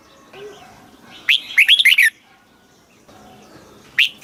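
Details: Southern master-style song of a caged red-whiskered bulbul in Thailand, used to excite and teach birds: one quick phrase of several bright, warbled whistles, then the start of another phrase, with soft background hiss.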